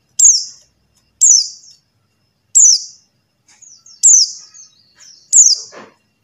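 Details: Buxtoni white-eye call for luring silent white-eyes into singing: five clean, high, downward-sliding notes repeated roughly every second, with a few faint twittering notes between them and a quiet background.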